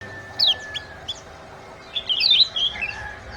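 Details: Bird chirping to spur lazy birds into singing quickly: quick high, slurred chirps in two short bursts, over a steady hiss and a faint whistle-like tone.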